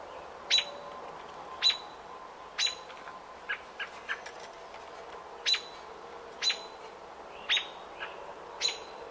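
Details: A robin at its nest on nesting day 28, 5 June 2018, gives sharp, high chips about once a second, with a few softer, quieter notes in between over a faint background hiss.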